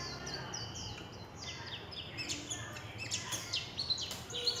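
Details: Kept warbling white-eye singing in the líu chòe style: quick series of thin, high, downslurred whistles, with faint background noise and a few sharper high notes toward the end.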